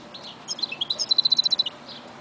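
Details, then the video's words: Goldfinch mule delivering a short phrase: a few chirpy notes rise quickly into a fast run of sharp, evenly spaced high notes, ending with a soft twitter. "Mule Goldfinch"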